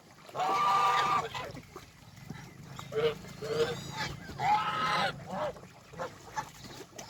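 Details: Countryside farm geese feeding on greens after leaving their pen give a long, loud nasal honk, then several shorter hoarse calls, and a second strong honk near the five-second mark before things fade to softer sounds.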